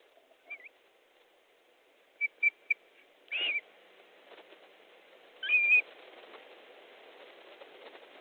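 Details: Osprey at a nest in Estonia on 3 August 2014 at 15:30, fish being delivered as another bird arrives: scattered short whistled notes, a rustle, then a longer, louder slurred whistle over quiet background.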